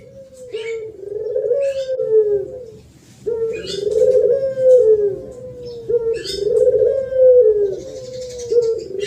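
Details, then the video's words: Loud thổ pháp song of a spotted dove, used to excite wild birds of both sexes: three rolling phrases of low, wavering coos, each about two seconds long, with sharp chirps from small birds overhead. "Tiếng Chim Cu gáy thổ pháp mới nhất 2023 hay nhất dùng kích bổi kích trống kích mái"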